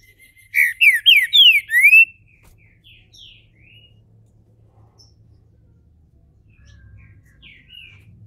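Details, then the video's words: A captive-bred Green-winged Saltator (trinca-ferro) opening into its main song gives one loud phrase of about five quick, rising, slurred whistles over a second and a half, then a few faint, softer notes against quiet hum. "trinca ferro"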